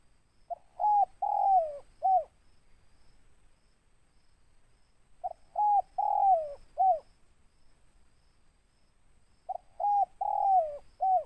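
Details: Big-voiced local spotted dove in ngeruk style with tindan, giving three evenly spaced coo phrases: short mellow notes, then a drawn-out falling coo and a final clipped note, with long pauses between phrases.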